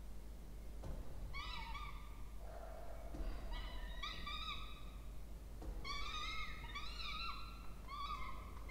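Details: Begging Peregrine falcon chicks, a pair, fed at a nest box on a university water tower in Orange, New South Wales, Australia, 20 October 2024. A series of harsh, wavering, harmonic wails, some overlapping, comes with a lower moan mid-sequence.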